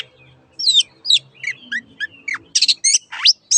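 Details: Long-tailed shrike master song for training caged birds that have stopped singing or changed owners: a varied series of sweet whistled slurs, falling and rising notes, then harsher chattering bursts.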